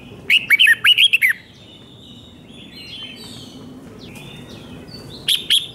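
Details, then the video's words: Red-whiskered bulbul song from Thailand, a five-syllable 'double 2, double 3' style used to teach young birds: one lively phrase of about eight liquid, falling whistles, then a long lull and two brief notes at the end. "เสียงนกกรงหัวจุกเบิ้ล2 เบิ้ล3 เพลง 5 พยางค์"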